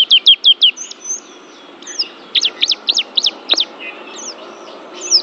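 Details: Oriental white-eye, a champion Banten pleci, giving a sparser high song: a few quick repeated chirps, then scattered thin whistles and a short series of evenly spaced sharp notes, with quiet gaps between.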